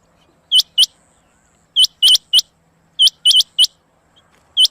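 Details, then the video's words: Rain quail giving sharp, high, metallic 'whit-whit' notes, mostly in quick pairs and threes, with short pauses between groups; the background is otherwise quiet. "Rain Quail Sound Mp3/چنگا بٹیر کی ایسی مست آواز"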